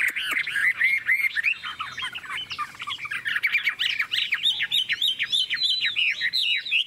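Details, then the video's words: Chinese hwamei held in a cage pouring out a dense, fast ngũ trường song: tumbling, slurred whistles and squawky notes run together in an energetic, continuous warble. "Ngũ trường, Dài ngoằng, Chất giọng rừng ko lẫn vào đâu đc"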